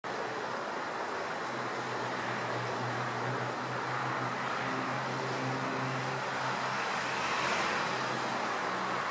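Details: Steady traffic rumble with a low engine drone throughout and no animal voice.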